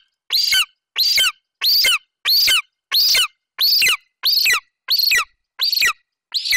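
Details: Golden eagle nestling, male, in Bucovina on 27 July 2021, calling for minutes over a partial Eurasian hare until his mother leaves. His high, ringing, whiny squeals come roughly every 0.65 seconds, ten in the span.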